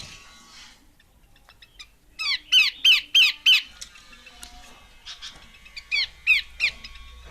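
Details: Harsh scolding notes from a female Horsfield's babbler, two bursts of four to five rasping downslurred calls about three per second, separated by a short pause with faint chirps.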